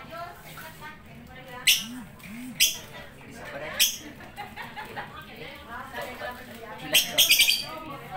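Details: Lovebird giving sharp, shrill shrieks at irregular intervals, including a quick burst of several near the end, with faint murmuring voices underneath.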